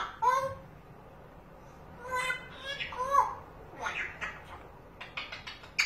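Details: Pet parrot indoors, having spotted a cat outside the window, chatters in a broken sequence of speech-like syllables, short clicks and a few brief whistled notes over about six seconds.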